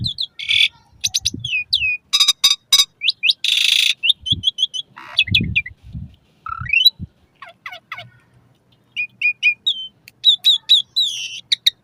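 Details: Asian pied starling singing for caged-bird training, morning and evening: busy jumble of harsh squawks, slurred whistles, rattling bursts and crisp chirps in quick sequences, with short quiet gaps and soft low thumps.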